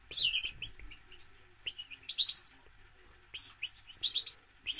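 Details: Bright, rapid twittering from a European goldfinch, with jingling notes, high thin whistles and short buzzy trills strung into bursts separated by short gaps.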